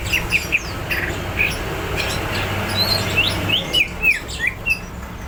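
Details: Greater green leafbird singing in a fighting mood, mixing sharp slurred whistles, some rising and some falling, with irregular chirps and brief pauses.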